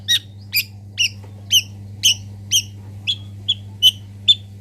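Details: A local cendet, or long-tailed shrike, in master song recording repeats a clipped, two-toned chip about twice a second, ten notes in a row, over a steady low electrical hum.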